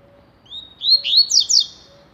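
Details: Rusty-collared seedeater, known in Brazil as coleiro or papa-capim, singing the tui-tui style: a clear whistled note rising into a short run of sharp, descending slurred notes in one brief phrase.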